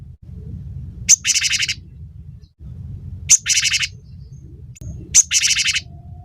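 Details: Cinereous tit in a tutor recording meant to make songbirds sing: three calls, each a single thin high note followed by a harsh buzzy rattle, spaced about two seconds apart over a low hum.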